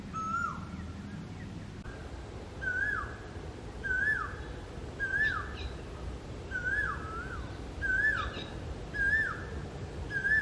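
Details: Repeated whistled notes of a male Asian koel, about eight upslurred 'ko-el' phrases spaced a little over a second apart, strong and even, above a low rumbling background.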